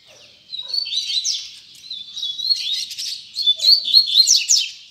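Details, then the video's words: Double-collared seedeater giving its tui tui zel zel song, a continuous high warbling stream of buzzy trills and quick whistled slurs that grows louder and more rapid toward the end. "Coleiro Tui Tui Zel Zel"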